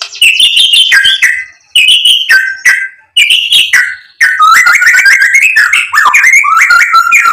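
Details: White-rumped shama song played to provoke another bird into singing: loud, rich whistled phrases, varied and fast, each rising then dropping, separated by short gaps, ending in a long continuous warbling run of rapid notes.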